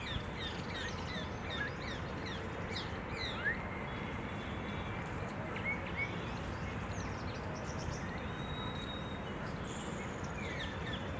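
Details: Silverbill family calling outdoors: many short, thin, high chirps and brief rising notes scattered throughout, several birds overlapping, over a steady low rumbling background noise.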